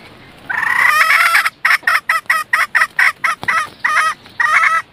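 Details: Decoy red junglefowl hen calling to attract males. A drawn-out raspy note leads into a rapid train of clipped clucks, and the series closes with two longer grating notes. A faint hiss sits underneath.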